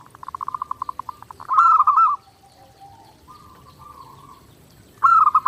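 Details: Zebra dove singing steadily on a training master: a rapid train of soft beats speeding into a loud rolling coo, a quiet lower drawn note, then another strong warbled phrase at the end.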